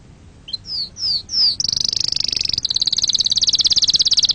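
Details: Canary song: three or four downward-slurred whistles, then a long buzzy high trill breaking into rapid evenly pulsed notes.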